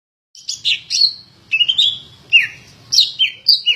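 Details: Greater green leafbird, described as a very prolific singer ready for contest hanging, giving a varied string of clear whistled, slurred notes, some falling and some rising, in short bursts separated by brief pauses.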